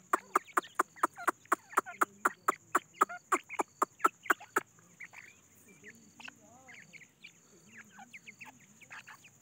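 Grey francolins give a fast run of short, sharp clucks, about three or four a second, then softer scattered chirps over a steady high insect hiss.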